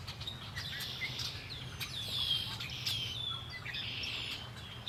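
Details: Birds singing beside Lake Erie, with short slurred whistles and bursts of high chirping in the middle, over a faint low rumble.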